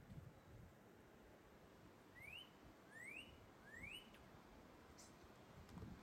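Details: Northern cardinal singing from high treetop branches to call its mate: a series of three upward-sweeping whistled notes spaced under a second apart, soft and somewhat distant, with low rumbling background noise.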